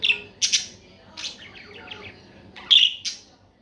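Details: Budgerigar chirping in a quick run of bright, high notes. Paired sharp chirps open the passage, then softer twittering and a loud burst of chirps near the end.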